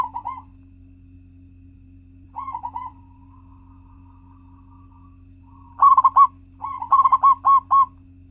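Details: Zebra dove, a local bird, singing as a lure for other doves: brief soft cooing bursts separated by long quiet gaps, then loud, quick, rolling coo phrases near the end over a faint constant hum.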